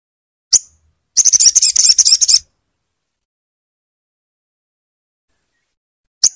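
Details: Crimson sunbird singing to stimulate a quiet bird: a rapid chattering trill of high thin notes lasting about a second, set between single sharp high chips at the start and the end.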